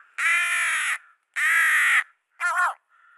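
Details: Fledgling rook, picked up from the ground and placed on a branch, begs while being hand-fed. Two long, grating, nasal caws are followed by a shorter wavering squawk and then a faint, thin note.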